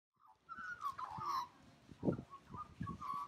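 An Australian magpie gives a run of mellow, fluty warbled notes that slide and waver at a middling pitch, over dull low thumps and rumbling.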